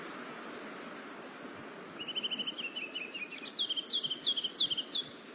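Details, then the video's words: Ruby-crowned Kinglet, a winter resident in North Carolina, singing its long song: very high thin buzzing notes, then a faster descending run of chattering notes, ending in loud bouncy repeated phrases over soft hiss. "Um so, first off is the song for the Ruby Crown Kinglet."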